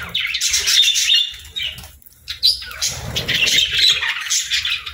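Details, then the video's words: Budgerigars during morning feeding time make squawky chirp bursts broken by short pauses, with faint low rustling and knocking in between. "Good Morning Birds Chirping | Budgie Feeding Time"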